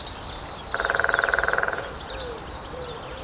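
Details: At Grathem, Netherlands, on 23 March 2026 at 14:00, a Lesser Spotted Woodpecker drums on a dead tree trunk. A very fast burst of about twenty even knocks lasts just over a second. Thin, high bird calls sound nearby over constant background hiss.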